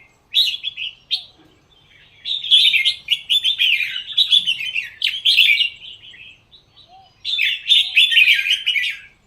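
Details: Kept Red-whiskered bulbul from contest-singing circles, giving lively, liquid warbling phrases: a short opening burst, then a longer rolling run of chirpy notes, a pause, and another rich warble near the end.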